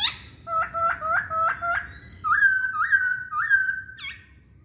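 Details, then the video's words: Chinese hwamei song: a series of five quick, bouncing whistled notes, then three longer, clear, rising whistles repeated about every half second, ending with a short high note. "Kicauan Poksay Hongkong"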